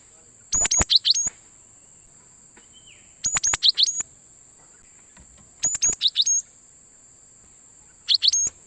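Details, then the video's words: Loud, clear cinereous tit calls meant to lure wild birds for trapping: short bursts of several rapid high chirps, repeated roughly every two to three seconds, with a continuous thin high tone underneath. "suara Gelatik Batu Pikat sangat Baik Untuk Mikat Burung Gelatik Liar"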